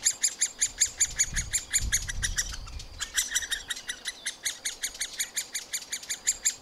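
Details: Middle spotted woodpecker nestlings being fed by parents in a nest cavity beg with harsh, chattering calls repeated two to three times a second, with a brief low rumble partway through.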